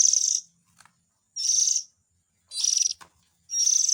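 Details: Calls of a white-rumped shama chick, used to lure its parents: four rasping, hissy high bursts about a second apart, with small clicks between them.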